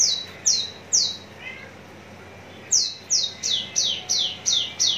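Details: High, sharp down-slurred whistles of a Javan bush lark readied for contests at Cikupa, Tangerang: three notes, a quiet gap with a soft lower chirp, then a fast string of seven.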